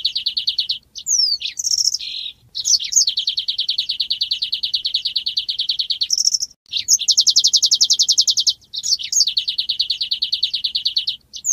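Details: Golden-headed weaver in vigorous song: long, sizzling, rattling trills, high and buzzy, broken by quick chirps and upslurred whistles, almost without pause.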